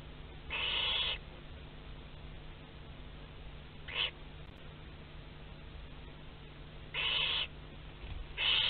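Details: Barn owls in a nest box at Théding, France, on 27 April 2021 while prey moves about inside; breathy rasping hisses about one second long, repeated at irregular gaps amid a steady low hum.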